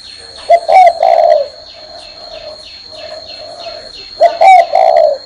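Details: Perched on a hand, a spotted dove repeats its low coo twice, each phrase of two short notes followed by a drawn-out falling one, with faint chirping and a steady high whine behind.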